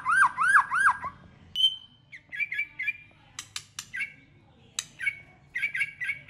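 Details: Fighting song from a White-rumped shama, many-voiced to provoke rivals: three looping whistled notes, a sustained thin whistle, then short repeated chirps broken by sharp clicks.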